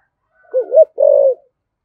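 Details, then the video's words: Spotted dove in the 'giọng thổ' style, cooing to stimulate wild doves: a single phrase of a wavering two-part low note followed by a longer, steady hollow coo. "cu gáy giọng thổ thúc gù cực đỉnh, tiếng chim cu gáy kích bổi hiệu quả"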